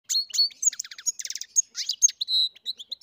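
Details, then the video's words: Captive-bred European goldfinch singing: quick tinkling twitters and high liquid notes, a rapid run of clipped trills, then one sustained sweet note near the end. "Καρδερίνα εκτροφής (Goldfinch carduelis singing)"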